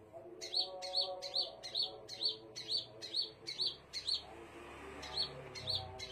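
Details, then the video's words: Scarlet minivet with evenly spaced bright chirped notes, about two per second, then a short break before more chirps, over a low hum with a faint voice-like murmur. "KICAUAN BURUNG SEPAH RAJA"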